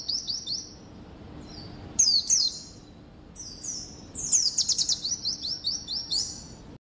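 White-eye singing high, thin, rapid twittering phrases with fast zipping trills and sliding chirps in bursts; faint low hum underneath.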